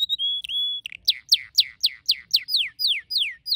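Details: Red canary singing: a long steady whistled note, then a rapid series of about eleven descending sweeping notes, repeated about four per second, clean with no other sounds.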